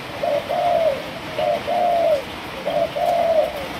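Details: Three-month-old spotted dove of the Malaysian strain cooing clearly: three phrases, each a brief low note then a longer smooth coo, repeated about every one and a quarter seconds in a quiet setting.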